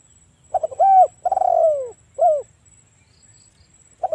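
A spotted dove gives a low, mellow cooing phrase: a few quick soft notes, a long drawn-out falling coo, then a shorter coo.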